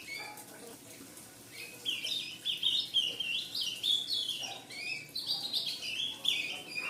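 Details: Ultramarine grosbeak fledgling chattering rapidly after a quiet start: dense, high twittering notes rising and falling in pitch, several per second, continuing to the end.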